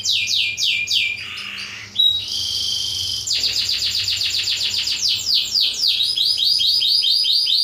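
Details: Black-throated canary song meant as a model for training canaries: fast series of descending whistled notes, a short buzzy trill, then a long rapid run of repeated sweeps, shrill and continuous.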